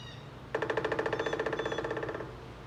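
A woodpecker drums one fast, resonant roll of about two dozen strikes lasting under two seconds, fading slightly at the end, over a faint low hum.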